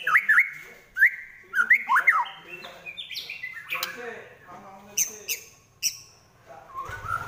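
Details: Fighting song of a white-rumped shama: quick looping whistled notes in pairs, then a jumble of buzzy and harsh phrases with a few high sharp notes.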